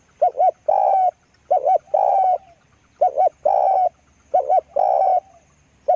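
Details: Spotted dove decoy bird cooing close by. Low, hollow phrases of two quick short coos, then one long swelling coo, repeated about every 1.3 seconds in a steady rhythm with a quiet background.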